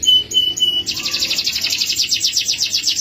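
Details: Male canary gives three short high pure whistled notes, then launches into a sustained rapid rolling trill of closely repeated high notes.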